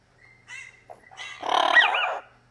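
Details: Male Double Yellow-headed Amazon parrot indoors, reacting to his own recorded voice: soft short calls build into a loud, grating squawk laced with looping whistled tones, over a faint low hum.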